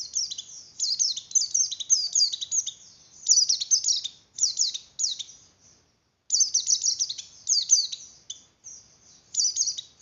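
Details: Javan grey-throated white-eye singing its fluttering breeding song, meant to stimulate breeding condition in other white-eyes: bright, high, rapid twittering with sharp downslurred notes, in bursts of one to three seconds separated by short silences, clean background.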